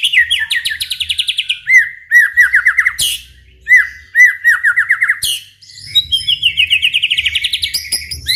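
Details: White-rumped shama song meant to provoke other shamas: rapid rhythmic series of down-slurred whistles repeated in bursts, interrupted by harsh notes, ending in a fast high trill.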